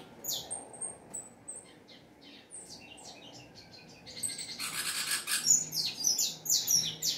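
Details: Saffron finch singing at length: thin high whistled notes and short chirps, then a louder burst of dense buzzy, rapid high phrases in the second half.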